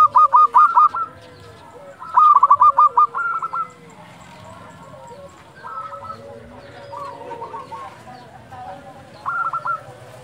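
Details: Local zebra doves at dusk, calls meant to excite and lure other doves; two loud bursts of rapid coo notes early, then fainter scattered phrases from more distant birds.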